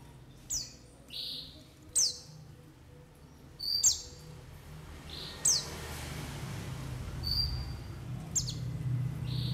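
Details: A white-eye calling recording used for luring and trapping, with forest and flock ambience: many high downward-sweeping chirps, about every 1.5 to 2 seconds, mixed with short buzzy notes from several birds, over a low background rumble.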